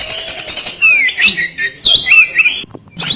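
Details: Oriental magpie-robin singing loudly: rich slurred whistles sweeping up and down, interleaved with scratchy noisy notes, a short pause, then more whistling.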